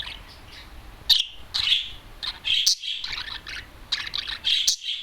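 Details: Single adult male budgerigar outside its cage, sitting on top of a TV, gives bursts of high scratchy chirps and squeaky notes separated by short pauses, a loud-voiced pet bird chattering indoors.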